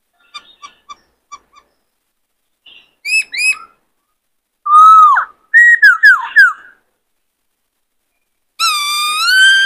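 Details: Caged male white-cheeked laughingthrush, used to rouse a young wild-caught bird in training, singing in an excited state. Short clipped notes come first, then paired upslurred whistles, several loud slurred whistles, and a long, rich, wavering whistle at the end.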